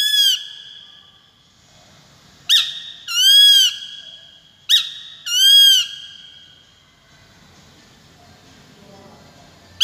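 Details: Peregrine falcon uttering a series of paired calls, sharp short notes each followed by a bowed, raspy wail, roughly every two seconds, then several seconds of near silence before a final note.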